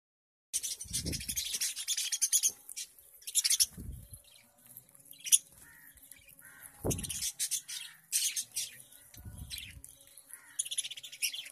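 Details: Pet lovebirds in India eating and playing with each other, chattering in sharp, high squawks and chirps, broken by soft low thumps.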